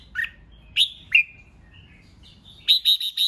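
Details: Competitive song of a red-whiskered bulbul used to provoke rival birds, with clear sweeping whistles falling in pitch, then a quick run of four bright, repeated chirps at the end.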